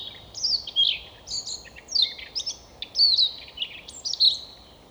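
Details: Near Novosibirsk in Siberia, Russia, a Siberian rubythroat sings in forest, delivering a rapid, continuous run of high twittering notes mixed with sharp, slurred whistles, about ten note groups in under five seconds.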